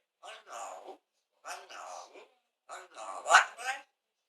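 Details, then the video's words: Pet parrot talking, saying Allahu akbar: three short speech-like phrases separated by pauses, the last one louder with a sharp high accent. "Parrot Saying ALLAH-akbar"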